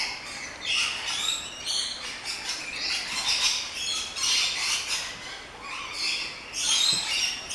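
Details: Noisy flock of rainbow lorikeets in a walk-in aviary at an orchid farm in Luttelgeest, Netherlands; constant chatter of shrill, grating squawks overlapping, with louder bursts near the start, middle and end.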